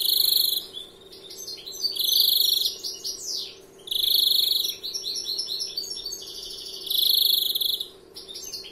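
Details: First-year European greenfinch with 'larguero' song: three loud, rapid, pulsed trills alternate with tumbling twittered notes and a descending sweep, a continuous, lively phrase.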